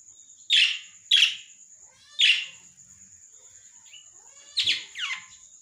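Lovebird giving five shrill, harsh screeches in uneven bursts over about five seconds, with a steady high electrical whine running underneath.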